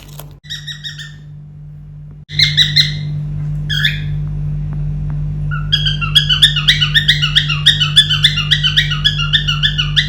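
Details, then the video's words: Pet cockatiel kept indoors, learning tunes, singing a song: after a faint opening, bright whistled notes with rich harmonics become a rapid, steady run of repeated chirps over a constant low hum. "Cocktail singing adorable song"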